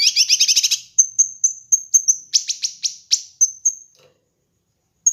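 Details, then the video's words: Master and lure recording of a kinoi bird for training birds: a quick stuttering trill, then a series of sharp, high whistled notes and descending chips repeated roughly every quarter second, ending in silence. "Masteran Dan Pancingan Burung Kinoi"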